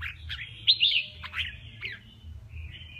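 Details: Red-whiskered bulbul male in song contest, giving rich slurred whistled notes and rising-falling warbles, several short phrases over a low background hum.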